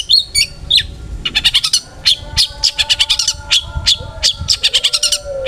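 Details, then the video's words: Long-tailed shrike in vigorous song, used to make other shrikes sing: fast, evenly repeated harsh clicking notes in rattling runs, with a few thin whistles between them. "burung cendet gacor FULL ISIAN buat PANCINGAN CENDET AGAR BUNYI!! jadikan BURUNG PENTET GACOR EMOSI"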